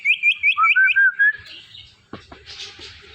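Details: Indian ringneck parakeet at night: a fast series of about eight bright, clipped chirps, roughly three per second, sliding lower midway, then fading into rustling and faint scratchy noise indoors.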